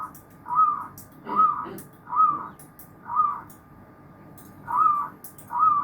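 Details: Zebra dove chorus with repeated trilling coo phrases roughly once a second and a brief gap near the end. Faint clicks and a low murmur are also present.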